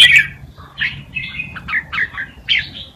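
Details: Red-whiskered bulbul tutor song used for teaching young birds: bright whistled phrases with slurred notes between 1 and 4k, coming in short bursts about every half second, over a faint low hum.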